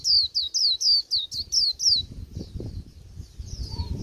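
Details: Late-season wild-caught white-eye singing a plain líu twitter: seven quick, piercing, downslurred whistles in about two seconds, each a bright high sweep, then fading to softer notes against low background rumble.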